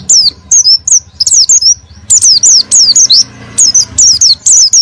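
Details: Oriental white-eye singing 'gacor' to rouse a reluctant white-eye. Phrases of crisp, very high notes, each dropping steeply in pitch, come in tight groups of two to four, with short pauses and a faint low rumble.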